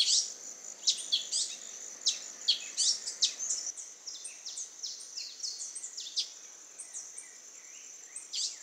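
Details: Young male Brazilian tanager vocalizing while preening in the wild at Ubatuba, São Paulo, Brazil, 11 January 2019 at 17:20: sharp, high chipping notes in irregular bursts, roughly one a second, over a steady high insect drone.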